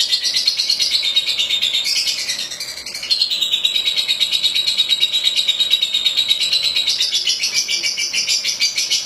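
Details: Lovebird singing, described as a champion songbird; continuous high shrill rapid chattering trill, fast repeated notes with a brief dip near three seconds.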